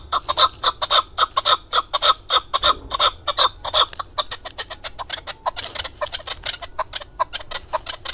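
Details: Recorded in 2020 in Darvoz district, Tajikistan, a male hunting chukar gives a loud, regular chuk-chuk series, about two notes a second, which then turns into a softer, denser, faster chatter.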